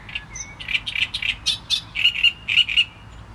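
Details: Great reed warbler singing: a fast run of harsh, grating, croaky notes repeated about twice a second, some chirps slightly higher, with a faint low hum underneath.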